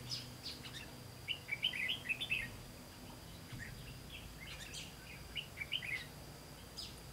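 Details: Red-whiskered bulbul singing during a trapping session on 18 September 2016. Scattered quick chirpy phrases are grouped near the middle and toward the end, separated by quiet stretches over low background noise.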